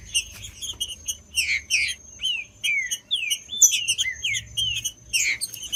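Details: Green-winged saltator song played to warm up and stimulate other saltators, of interest to tournament breeders: short whistled down-slurred phrases near the upper-middle range, fast bursts of chirps with sharp high clicks overhead.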